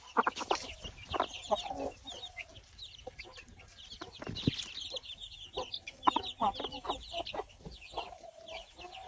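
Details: Baby chicks chirping: many short high peeping notes overlapping, with lower clucking notes and scattered knocks.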